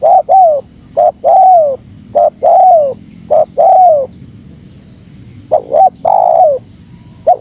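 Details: Spotted dove lure call: the phrase of short notes and a long falling coo repeats three times in quick succession. After a pause it resumes with stuttered notes and another drawn coo.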